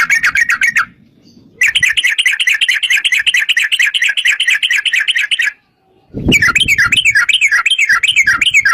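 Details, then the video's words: Sooty-headed bulbul in long 'ropel' rolling song for luring others to sing back; extended fast trills of buzzy chattering notes in three runs split by short gaps, the last with wavering up-down notes and a low thump. "trucukan gacor TARUNG ROPEL PANJANG pancingan trucukan agar bunyi jadikan burung trucuk gacor NYAUT"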